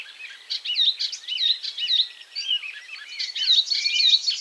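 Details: Icterine warbler pausing from catching caterpillars to sing: a dense, continuous medley of fast whistled, twittering and squeaky phrases, rapidly changing and repeating notes, loud and close.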